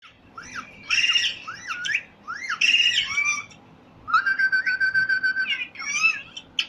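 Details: Parrot calling in a mix of sliding whistles, harmonic-rich chirps and a long steady whistled note, loud bursts separated by short pauses.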